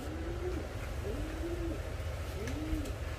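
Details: A yellow pair of Reversewing Pouter pigeons; low, soft cooing notes, each a smooth rising-then-level hum, repeated about once a second over a steady low background rumble.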